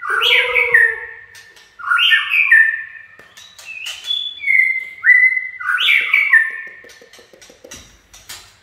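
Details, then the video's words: White-rumped shama singing phrases of 'chạy cầu' style: loud whistled notes with rich warbled flourishes, sliding tones around mid pitch, repeated in bursts every two seconds, with sharp clicks between phrases. "Chích chòe lửa chạy cầu shama run"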